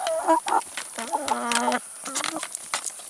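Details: Chickens eating salad and vegetables utter short clucks and a low, flat, drawn-out purring call lasting about a second, with clicking pecks between calls.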